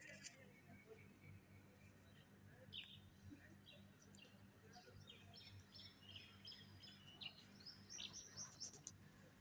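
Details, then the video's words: Birds calling from a big tree: scattered high chirps and short whistled notes, faint against steady low hum and background noise, with some distant voices. "the birds sounds from a big tree. ایک بڑے درخت سے پرندوں کی آوازیں"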